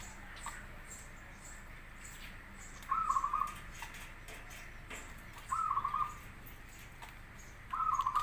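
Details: Zebra dove song, from a local or crossbred bird, used to lure other doves into replying: three brief bursts of rapid clipped coos spread over eight seconds, separated by quiet hiss.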